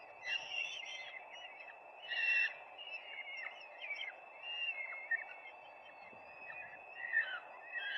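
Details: Peregrine falcon nest seen live on 4 May 2025: repeated harsh, wavering calls, louder near the start and end, broken by short pauses, with steady hiss underneath.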